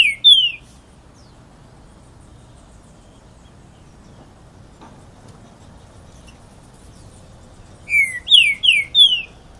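Green-winged Saltator giving loud, clear whistled notes: a brief opening burst, then a phrase of four quick, slightly rising whistles after a quiet pause.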